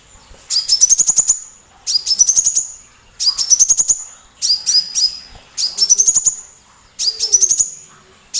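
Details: Sunbird song, a small loud-voiced bird used as a tutor to provoke other cagebirds such as white-rumped shama into singing: six high, bright phrases of rapid ticking notes over a rising whistled tone, repeated roughly every 1.3 seconds against a quiet background.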